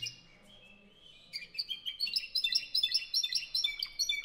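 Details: Spanish Timbrado canary from 2015, belonging to a Spanish song canary club in Albacete, Spain. A soft low warble gives way to a bright, rapid series of repeated metallic notes, steady and rhythmic, over faint background noise.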